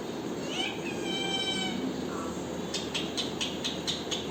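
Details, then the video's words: Parrot uttering a drawn-out harmonic screech, then a brief lower note, followed by a run of sharp clicking taps repeated quickly, with steady background hiss. "parrot original voice"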